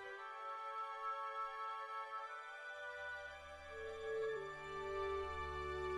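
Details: Soft instrumental music with sustained tones and a deep bass entering halfway; no animal voices.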